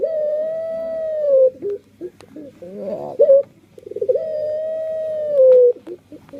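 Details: Two long, even coos from a puter pelung dove, each held for over a second, separated by a quick tremulous rolling phrase; a few soft clicks in the background.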